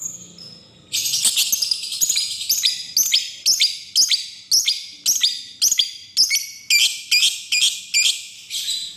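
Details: Lovebird lure call, an ngekek trill used to call a rival: harsh, high chattering notes repeated about twice a second in a long unbroken series of descending bursts.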